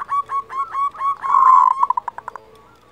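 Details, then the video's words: Kerot call of a local zebra dove, meant to stir breeding drive and aggression in listening doves: a string of short soft coo notes builds into a long rich purring note, then ends in rapid staccato pulses. "SUARA KEROT Perkutut lokal Masteran Ampuh Untuk Menaikan Birahi dan Emosi"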